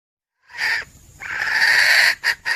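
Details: A single harsh squawk from a female red junglefowl, then a longer rasping note and two short clucks, in a recording meant to lure game for hunting.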